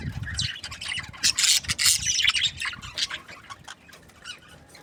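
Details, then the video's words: Budgerigar breeding pairs, happy, chattering with fast scratchy chirps that peak in the middle, over a rubbing, rasping noise and low rumble. "Happy budgie chirping sounds | breeding pairs"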